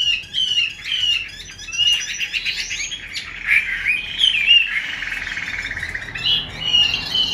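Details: Female Chinese hwamei, captive, with 'xùy' and 'te dụ' calls for exciting males; quick whistled notes open into long rasping hisses, then more slurred whistles and chatter.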